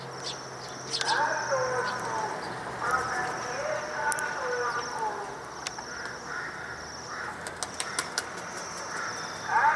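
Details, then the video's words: Waxwing flock flying around in Kyiv, Ukraine, in winter 2013: thin, high, continuous trilling runs almost without pause, with people talking lower down and a few sharp clicks. "Прилетели Свиристели. Nice Birds."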